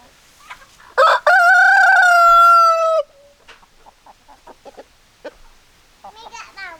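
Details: A rooster gives a loud, drawn-out crow, a rich harmonic cry held for about two seconds and trailing downward, followed by soft, scattered hen clucks and a final short nasal call.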